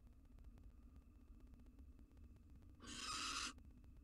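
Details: Wild female barn owl gobbling a mouse brought by her male companion, possibly near egg-laying, in a monitored nest box: a single harsh, hissing screech lasting under a second over a quiet, humming background.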